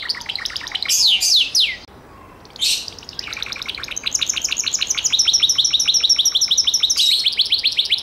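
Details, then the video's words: Gloster canary song opening with loud steep descending sweeps, a brief pause, then a sustained rapid rattling trill of repeated high notes, steady and dense to the end. "CANARIO GLOSTER"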